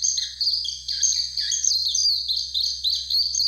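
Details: Warbling white-eye by Mount Fuji giving a bright, high chattering warble of quick slurred notes. Lower chirps occasionally drop beneath the main twitter, over a faint steady hum.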